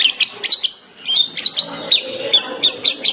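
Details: Cendet (long-tailed shrike) 'tembakan' master recording for training songbirds: spaced pairs of sharp, high chirps with short whistled slurs, over a faint lower murmur.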